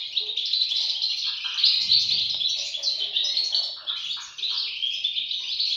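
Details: Shrill, continuous twittering from a group of European goldfinch chicks, fast squeaky notes piled on top of one another with little variation in pitch.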